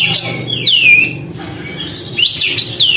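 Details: Sooty-headed bulbul in chatty song with tail spread, meant to provoke other birds: sliding whistled notes falling in pitch, a pause, then a burst of bubbly rising and falling whistles, low hum beneath.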